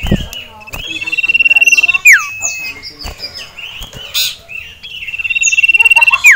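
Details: Male ashy tailorbird kept in a cage, roused by a rival and a female, repeats a sustained high rattling trill that ends in a falling swoop, twice in quick succession, with jumbled chirps between.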